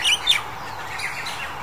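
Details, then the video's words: Crested Myna, February 2021, giving two quick, harsh chirps in close succession, then falling quiet against a soft outdoor hiss. "八哥 Crested Myna"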